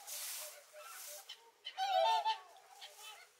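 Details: Whooper swan feeding on a winter lake in Kuusamo, Finland: soft rushing noise at first, then a single loud, wavering bugled honk near the middle, followed by fainter distant calls.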